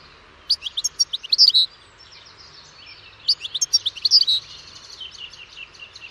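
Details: European goldfinch giving two lively bursts of liquid twittering and sharp high chirps, the second trailing into softer rapid trills.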